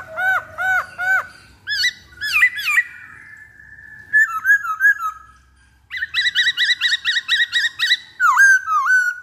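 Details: Black-throated laughingthrush singing as a lure: repeated looping whistled notes and arched phrases, then, after a pause, a rapid series of about a dozen clipped whistles.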